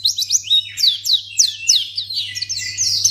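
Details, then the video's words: Rapid chattering white-eye calls aimed at getting other white-eyes to respond: dense, high, slurred chirps tumbling one after another with barely a gap, a low hum beneath. "Pleci Akan Langsung Merespon Memancing Bunyi Burung Pleci"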